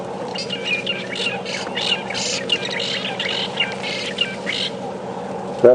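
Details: Fork-tailed Drongos at Djuma Game Reserve, South Africa, on a morning safari drive in November 2015, give harsh, metallic, robotic-sounding notes in quick bursts, some with thin whistles, before flying off, over a man's voice and low hum.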